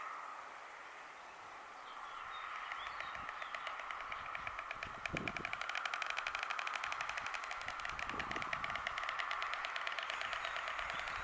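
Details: White stork in Poland on riverside meadows, clattering as greeting, joy, signalling position or warning: rapid, dry, wooden bill rattle that builds and continues in bursts over steady background hiss.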